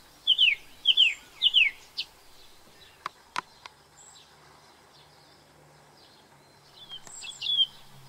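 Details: Song thrush, an introduced species in New Zealand, singing: a short descending whistled note repeated three times in quick succession, a few sharp clicks, then a pair of higher phrases.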